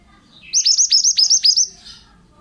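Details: Male pied bushchat for training other birds: a short, evenly spaced string of about eight bright, high notes, each hooking steeply downward, ending with a faint buzzy note.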